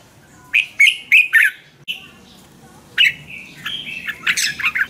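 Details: Thai red-whiskered bulbul singing for caged-bird training: a run of bright, chirping notes, then a brief pause, then a longer, more tumbling and squeaky phrase that keeps going to the end.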